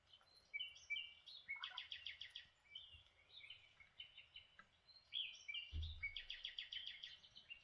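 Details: Lineolated parakeets, also known as barred parakeets, chattering during breakfast: repeated buzzy, trilled bursts and sweet chirps in several waves, with one brief low thump near the end.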